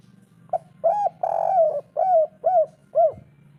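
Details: Spotted dove with the 'kuk 3' pattern of a local wild bird, played so idle birds start calling. A short note, a long soft coo, and three evenly spaced arched coos over a low background hum.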